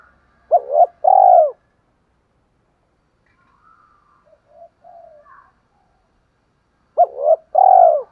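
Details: Spotted dove cooing to lure wild doves into answering: two loud low cooing phrases, each a short rising double note followed by a long drawn-out coo, with softer, more distant coos between them.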